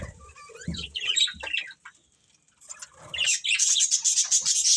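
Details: Budgerigar breeding pair: a few whistled chirps and squeaks, then near silence, followed by a rising burst of dense high chatter that runs to the end.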